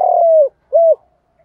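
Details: Fragment of a spotted dove lure call in 'giọng Đồng' style for attracting wild doves: a long, smooth, slightly falling coo followed by one short arched coo.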